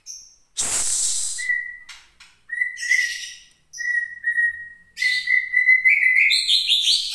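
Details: White-rumped shama from Gunung Leuser, caged in Aceh, singing aggressively when provoked by contest-bird sounds. A loud noisy burst is followed by repeated level whistles, building into a fast, dense warbling phrase.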